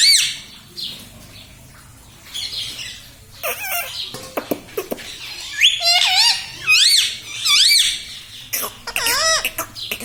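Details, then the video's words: Pet parrot kept at home, described as saying 'mummy papa' and 'radhe radhe', utters quiet scratchy sounds at first, then clusters of high, shrill, wavering syllables in quick short phrases toward the end. "मम्मी-पापा बोलता तोता"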